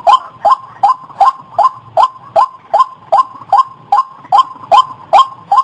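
White-breasted waterhen giving a steady run of harsh, nasal croaks, about two or three per second and evenly spaced, with nothing else clearly heard.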